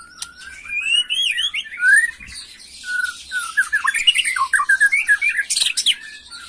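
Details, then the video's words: Agitated white-rumped shama in 'macul' song: a string of rising looping whistles and quick slurred notes over a hissy high buzz, with a sharp click and a burst of scratchy noise. "Murai Batu emosi Gaya MACUL‼️pancing emosi BuruNG Muda"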